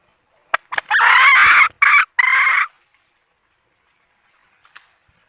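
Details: Red junglefowl hen serving as a lure for males utters a long harsh squawk broken into three loud bursts, with sharp clicks and knocks before it and faint rustling afterwards.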